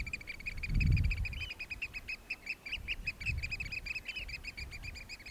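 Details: Eurasian oystercatchers in courtship display at Hoorn on Terschelling, Netherlands, in 2015, giving a fast, continuous trill of shrill piping notes, with a few longer arched calls and low wind buffeting.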